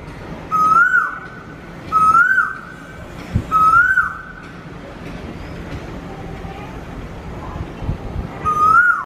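An Asian koel gives loud, clear whistled notes, each rising then dropping, three in quick succession about a second and a half apart, then a fourth after a pause.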